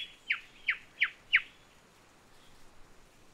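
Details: Island whistler from wooded small-island habitat: four quick high whistled notes, each sliding downward, evenly spaced about a third of a second apart, then quiet background with faint distant chirps.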